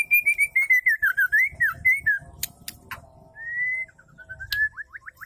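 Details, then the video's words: Calling of a female white-rumped shama, played to set males singing: a rapid pulsing warbled whistle that wavers and slides downward, a few sharp clicks, then a lone rising whistle and quick upswept chips. "pancing dengan suara murai betina gacor"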